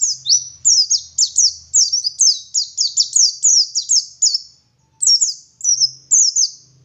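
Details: Oriental white-eye, a local dakun bird from Garut, West Java, singing in the gacor ngalas style: a rapid run of high, thin whistled notes sliding downward, one brief pause near five seconds, and a faint low hum underneath.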